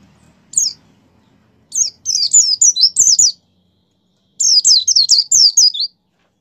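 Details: A high, thin 'gacor' song of a white-eye, played to push kept birds into singing: a single short note, then two bursts of rapid downslurred whistles separated by about a second of silence.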